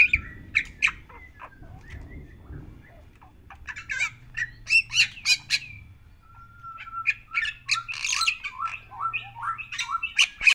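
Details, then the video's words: Bali myna with a long crest singing in lively gacor style: clusters of sharp chips and harsh squawky notes, a steady mid-pitched whistle near the middle, then rapid rising whistled phrases, over a low background rumble. "GACORAN MEWAH RESMI| JALAK BALI JAMBUL PANJANG"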